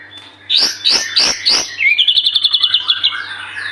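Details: White-rumped shama, singing actively, as a lure for other birds: four loud, rich notes, then a fast, even trill of about a dozen sharp high notes that fades off.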